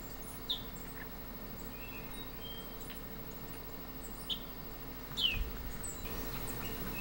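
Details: Blue-hooded Euphonia (Euphonia elegantissima) giving three brief, high chips with a sharp falling sweep, spaced a few seconds apart over a steady background hiss and faint hum.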